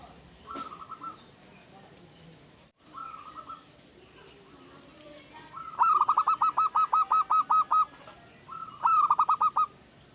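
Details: Caged young zebra dove, kept untrained until recently and now starting to sing regularly. A soft level note, then a rapid run of about ten clipped, evenly spaced cooing notes, and a short phrase near the end. Background is quiet.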